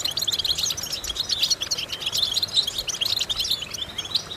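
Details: Goldfinch singing for vocal training of other goldfinches, a fast liquid twitter of short high chirps and metallic tinkles, unbroken and evenly loud for four seconds over soft hiss.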